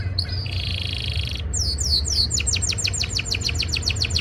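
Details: Male canary singing during breeding season to impress a female: a rising note, a buzzy rolled trill, then a fast series of repeated downward-sweeping whistled notes, about five per second, over low hum.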